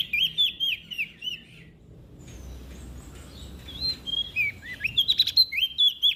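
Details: Olive-backed tailorbird from West Nusa Tenggara, Indonesia, in energetic song aimed at stirring lazy birds: repeated rising chirps, a brief gap, then a rapid, dense run of bright notes.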